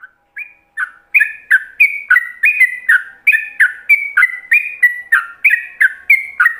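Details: Yellow-vented bulbul singing in ropelan style, meant for other bulbuls to copy: a fast run of short, clear whistled notes, alternating higher and lower slurs at about three per second, starting softly and then steady and loud.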